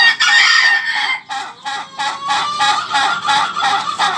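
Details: Ayam ketawa, the laughing chicken, crowing: a loud harsh opening note followed by a long run of rapid, pulsed, cackling syllables about three per second.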